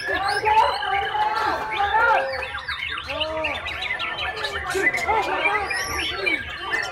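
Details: Young Oriental magpie-robin singing with varied rapid whistles, chirps and slurred notes in dense overlapping phrases, while human voices talk underneath throughout.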